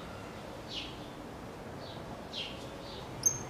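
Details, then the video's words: Cattle Tyrant singing: a few faint, thin, high chirps spaced about half a second apart over a soft background hiss, ending with a sharp click. Cattle Tyrant. "Suiriri Cavaleiro Cantando"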